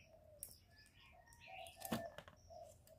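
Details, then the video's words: Spotted dove sound used to lure birds into traps and rouse kept birds: a series of low, mellow coos with soft chirps above and a sharp knock near the middle. "Tiếng cu gù cực chuẩn dùng đi bẩy, kích chim nhà hiệu quả"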